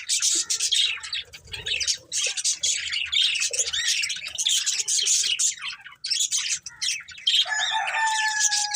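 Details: Colourful budgerigars, a breeding pair and family, keep up loud, squawky chirping and warbling in quick bursts, with a steadier whistled tone entering near the end.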